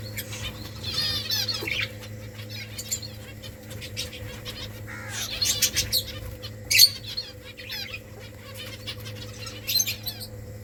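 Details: Colony finches busy making nests: quick high chirps and short trilled bursts near one and five seconds, a sharp tweet near seven seconds, and softer calls over a constant low mechanical hum.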